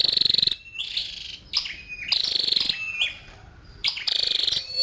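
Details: Scarlet-backed flowerpecker, a female, delivering high buzzy trills of about half a second, each followed by thin falling whistles and chips, the pattern recurring several times.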